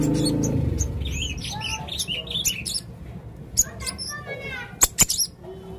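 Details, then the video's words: Male blue-crowned hanging parrot giving scattered high, squeaky twitters and sharp ticks after a moment of human speech, with a few louder clicks near the end. "burung serindit jantan gacor"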